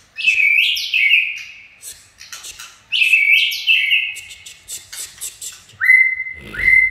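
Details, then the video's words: Chạy cầu style white-rumped shama song with two bright high phrases sliding downward, scattered clicks between them, then two short rising whistles near the end. "Chích chòe lửa chạy cầu shama run"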